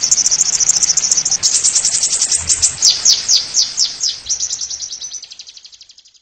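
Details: Oriental white-eye, ngeriwik nyembur style masteran recording: a very fast run of high, sharp chirping notes, some dropping slightly in pitch, repeated several times a second and fading out toward the end, with low background rumble.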